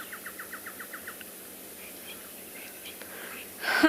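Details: A Woodland Kingfisher, just landed nearby on a South African game reserve on a stormy late-rainy-season afternoon, 20 February 2021, gives a quick trill of about nine sharp, down-slurred notes. Faint other bird notes follow, then a sudden loud rustle.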